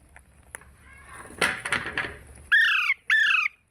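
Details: Parrot talking: a murmured, noisy voice-like stretch, then two loud squawky calls, each sliding downward and about half a second long, with a short gap between.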